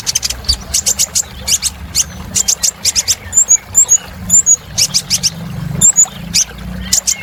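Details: Sunbird known as kolibri ninja delivering busy filler song meant to excite caged birds: dense runs of very high ticking chips, interspersed with thin whistled upslurs, steady low background hum.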